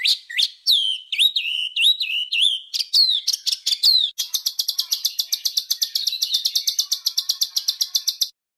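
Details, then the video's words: Cage bird training song recording in coarse 'besetan kasar' masteran style, for home and contest birds: sharp rising and dipping whistled notes, then a fast steady run of high chips repeated about five per second. "full Suara burung Masteran kasar"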